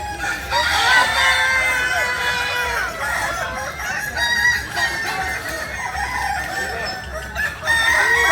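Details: Many Kukuak Balenggek chickens native to Solok, West Sumatra, crowing at once, with loud bursts of stacked crows at the start and the end and dense overlapping calls between.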